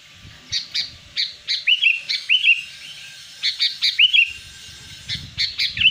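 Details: Wild sooty-headed bulbul singing, a sound used to lure wild birds: short, bubbly two-part phrases with rising whistled hooks, repeated every half second or so in loose runs.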